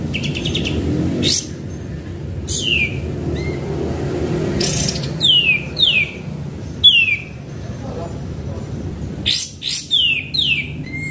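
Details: Lively sooty-headed bulbul singing for use as a lure, with scattered falling whistle pairs between noisy bursts, then a denser run of downward-sliding notes near the end.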